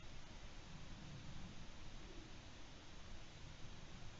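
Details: Quiet, steady broadband hiss with faint low rustling fills the recording from an eagle-owl nest camera, and no call is heard.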